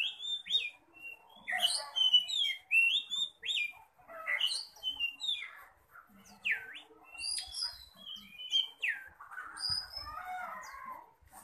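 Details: Fierce song of a contest-ready Oriental magpie-robin in display: a steady stream of varied whistled notes, rising slurs and sharp chips, ending with a lower, scratchy, chattering run.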